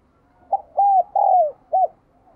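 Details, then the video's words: Spotted dove coo played to make captive doves coo: a short note then two longer arched coos and a final brief note, low and hollow. "Chim Bổi Nhà bạn Không Chịu Gáy Vì bạn chưa Mở Tiếng cu gáy này"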